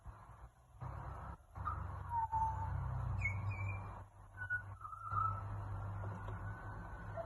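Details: Australian magpie in Australia giving scattered fluty whistled notes, some sliding and some held, over a strong continuous low rumble.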